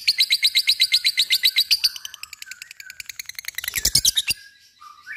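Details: Lovebird in gacor ngekek song: a quick string of clear high ticks, then denser scratchy chatter swelling into louder harsh notes before stopping with a short squeak.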